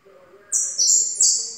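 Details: Yellow goldfinch giving a short run of bright, buzzy, high trilled notes in quick overlapping succession, loud and close against a quiet background.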